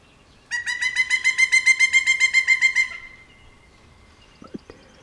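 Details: A pileated woodpecker on a light pole in the morning, while preening, gives a loud, ringing series of about fifteen quick, even notes over two seconds, followed by quiet and a couple of faint knocks.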